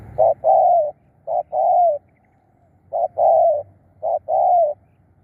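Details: Spotted dove serving as a lure for wild birds, repeating a two-part coo about once a second: a brief soft note, then a fuller, longer coo sliding slightly downward. The setting is otherwise fairly quiet.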